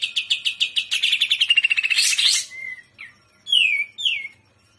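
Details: A captive greater green leafbird in full song gives a rapid series of about fifteen bright chips that quicken into a trill, then a buzzy burst and several slurred whistles dropping in pitch.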